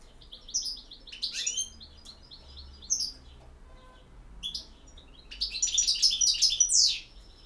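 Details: European goldfinch in campero song: scattered short twitters at first, building to a loud, rich jumble of tinkling, buzzy and slurred notes near the end, with a low hum behind.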